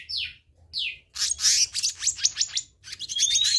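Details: Black-naped monarch: two falling whistled slurs, then a rapid rattle of harsh, buzzy chirps. A rising thin whistle comes near the end.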